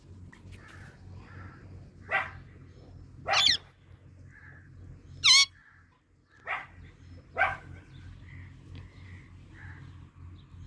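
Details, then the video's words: Indian ringneck parakeets fighting: harsh, broadband screeching squawks in short bursts about every second or two, one with a sharp rising-falling whistle, between quieter chattering notes over a steady low hum. "Ringneck Parrots Funny Fight"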